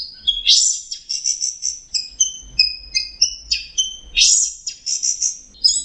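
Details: Orange-headed thrush singing in teler style, a dense, varied stream of bright whistles mixed with raspy, buzzy bursts, steady and continuous with only brief breaks.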